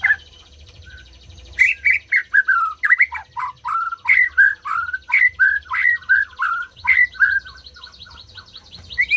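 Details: White-rumped shama song to set off silent birds: after a brief pause, a long loud series of clear whistled notes, two or three each second, with varied slurs and some scratchy high accents.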